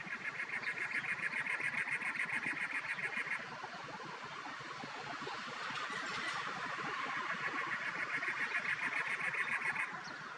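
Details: Cactus Wren, a common desert bird near Tucson, Arizona, in April 2023, singing: two long bursts of harsh, rapid, chugging notes like a sputtering engine, over a steady wash of wind noise.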